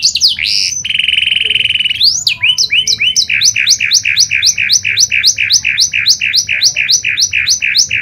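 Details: Panda canary in full song, used as a lure to get other canaries singing. A few bright whistles and a held buzzy note give way to a long, steady, fast trill of repeated chirps, several per second.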